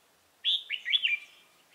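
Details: Trapping decoy red-whiskered bulbul, 28 October 2018, luring rivals: a single bold bubbling phrase of several rapid whistled notes, bright and liquid, ending abruptly in near silence.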